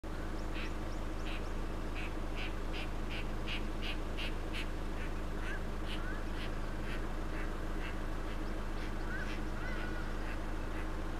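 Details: Western osprey at Shingwedzi in 2021 giving a fast series of sharp, whistled chirps, about three per second, which fade after six seconds; a steady low rumble runs throughout.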